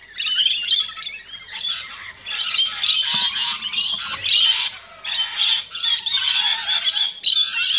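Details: Loud, harsh screeching and squawking from rainbow lorikeets at an Australian backyard feeding station, delivered in near-continuous shrill bursts with short breaks every second or so.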